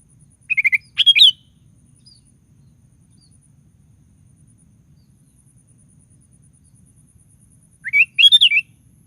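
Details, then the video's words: Sooty-headed bulbul singing to provoke other bulbuls: one quick bubbly phrase of stepped whistles, about seven seconds of near silence, then a second similar phrase. "DENGAR SUARA BURUNG KUTILANG GACOR"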